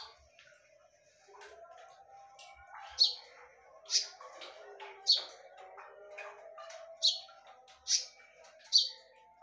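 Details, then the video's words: Konin song used as a lure, described as sharp and loud: short piercing high notes, roughly one every second, over a soft background murmur of other faint chirps. "SUARA TAJAM DAN NYARING / BERANI DENGARKAN SUARA PANCINGAN KONIN INI??"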